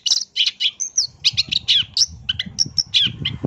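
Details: Pentet (long-tailed shrike) lure sound to draw birds into singing: a quick jumble of harsh chatters, high thin whistles and scratchy notes, over a low rumbling background in the second half.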